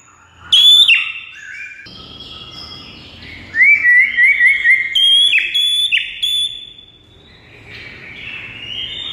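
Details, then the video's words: White-rumped shama song used to stir a silent bird: a loud high downslurred whistle, a quick string of short twittering notes, then more ringing whistles fading into hiss. "JADIKAN MURAI BATU BISU LANGSUNG NGAMUK DAN GACOR MENDENGARNYA"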